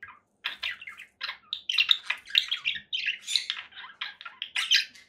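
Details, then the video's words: Conure parakeet giving a busy run of short chirps and squawky notes, packed closely with brief gaps, mid to high pitched, steady chattering with no other sounds. "conure parakeet sounds"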